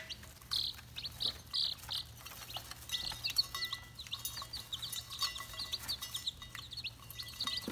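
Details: Red junglefowl chicks peeping: brief high whistled notes repeated irregularly, some louder bursts early on, amid constant background noise and a low hum.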